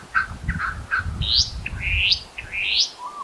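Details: Restless flycatcher, one of a foraging pair at Monarto Woodlands, South Australia, 26 July 2020: a few short harsh notes followed by three steeply rising, upswept whistles about every 0.7 seconds, with low rumbling noise beneath.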